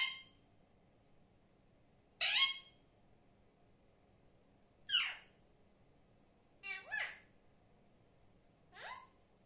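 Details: Alexandrine parakeet kept as a pet, giving five loud, harsh screeches spaced over several seconds, each a sharp descending squawk, the fourth a doubled burst, with quiet room background between calls.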